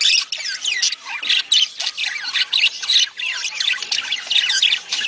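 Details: Budgerigars chattering in mating sounds intended to prompt a female to lay eggs. A busy, continuous warble mixes rasping squawks, quick rising and falling whistles, and chirps, all high-pitched.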